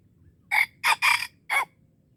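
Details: At Darul Kamal in Aceh, a wild red junglefowl lured by trappers crows: four loud, rough segments, a short one, a pause, then two running together and a final short burst, all within a second and a half.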